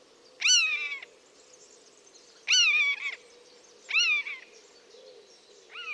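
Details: Wild buzzard calling: drawn-out descending mews, each rich with overtones and lasting under a second, repeated three times with a fourth starting at the end, over a low constant hum.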